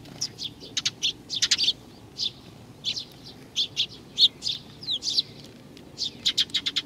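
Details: Steady, irregular high tweeting from several sparrows coming for food at a Tenmangu shrine in Nakanoshima, Japan, 21 June 2020, single notes and short quick clusters, ending in a fast run of chirps.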